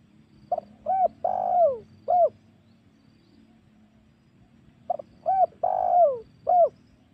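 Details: Spotted dove lure call played to draw in wild doves for hunting: two identical phrases about four seconds apart, each a quick double note, an arched coo, a long falling slurred coo and a final coo.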